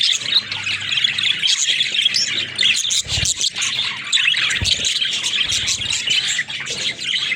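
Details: Pet budgies chatter in a continuous, high, scratchy warble, broken by a few low thumps and bumps.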